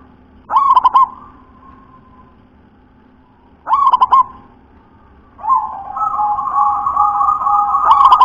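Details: Local zebra dove with a deep, full song delivers two rolling coo phrases about three seconds apart, each a rising note then stuttered pulses; a loud steady droning tone swells in the second half before a third phrase begins.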